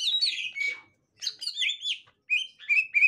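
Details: A captive 'gotri' green leafbird and a young wild green leafbird exchange short bursts of high, slurred whistles and squeaks, broken by brief silences.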